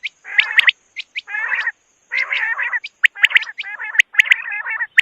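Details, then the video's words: Quail giving harsh, raspy, gargling chatters in bursts about once a second, ending in quicker clipped notes, over a thin steady high whine. "Batair ki awaz|quail sound"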